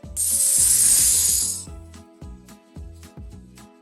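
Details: A loud hiss at the start, then rhythmic mechanical ratcheting and clicking like turning gears, with no animal voice.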